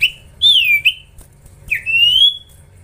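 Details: Two drawn, slurred whistles from a juvenile common iora in training, the first rising then sagging, the second climbing slowly after a short pause.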